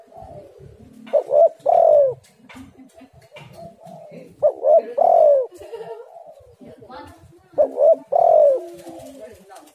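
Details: Spotted dove calling, played to lure doves into singing: three repeated phrases roughly three seconds apart, each with quick stuttered coos ending in a long, downward-sliding coo over a light crackling background.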